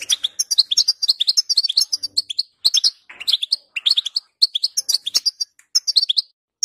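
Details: European goldfinch song aimed at making a goldfinch sing, with a busy, liquid twittering of bright mixed notes, rising and falling chirps and buzzy trills in rapid succession, broken by brief pauses.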